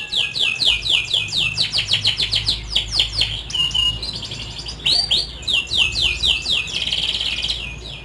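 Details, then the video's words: Lure song of a canary to coax reluctant young canaries into singing: rapid, sweeping chip notes repeated several per second, broken by short whistled phrases and rolling trills throughout. "suara burung kenari||pancingan burung kenari paud kenari macet bunyi"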